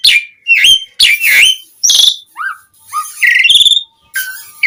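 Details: Asian pied starling singing a mix of harsh buzzy calls, slurred rising whistles and a run of quick harmonic notes, a song used to lure other starlings to reply.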